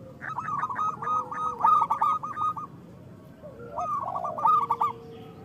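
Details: Local zebra doves singing, a recording used to prompt lazy captive doves to sing; quick series of short cooing notes repeated in bursts, with several birds overlapping, lower rounded coos beneath, and a steady background hiss.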